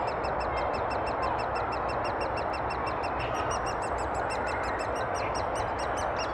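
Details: Great spotted woodpeckers at Thurrock woods on 20 May 2014, where adults were feeding their chicks: a steady run of high, nasal, chattering calls, about four each second, over constant rushing background noise.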